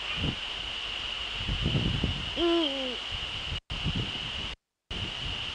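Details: At 18:00 on 30 January 2013 in the Netherlands, a male Eurasian eagle-owl gives one hoot that climbs and then falls away. Scattered low thumps surround it, the sound cuts out briefly twice, and a high whine persists.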